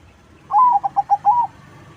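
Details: Crossbred zebra dove singing actively, used to lure other doves: one soft cooing phrase, a drawn-out note, three short rolling coos, then a longer closing note, all within one second over quiet background.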